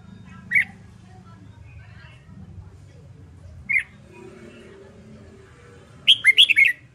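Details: Red-whiskered bulbul in contest-singing training for newly caught birds: two short chirps, then a quick burst of four or five warbled, falling notes near the end, over a low steady hum.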